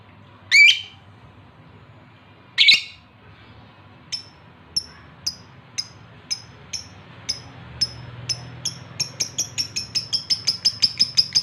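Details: Male lovebird in breeding condition calling to a female: two harsh squawks, then thin high chirps that start slowly and speed up into a fast even series.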